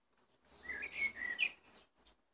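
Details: A blackbird sings one flowing phrase of mellow, slurred whistles rising and dipping, finishing with a thin, very high squeak and a faint trailing note.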